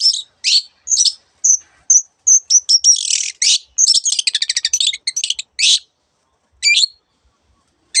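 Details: Long-tailed shrike in varied song: separate high whistled notes, then a fast rattling trill of rapid chips, then a few spaced calls and silence toward the end.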